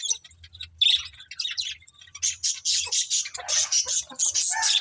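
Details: Pet budgies chirp in quick, buzzy, high notes. Sparse chatter in the first two seconds builds into a dense, continuous run of scratchy chirps.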